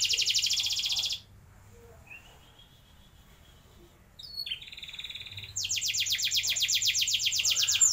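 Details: Canary roll song for training young canaries: a dense high trill, a gap of near silence with faint notes, then a brief buzzy phrase and a loud, fast sustained trill.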